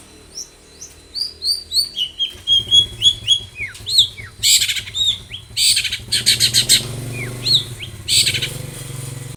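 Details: Long-tailed shrike singing vigorously with varied material as a lure for other shrikes: a string of bright whistled upslurs and downslurs, followed by loud harsh grating squawks and dense noisy bursts with low background rumble.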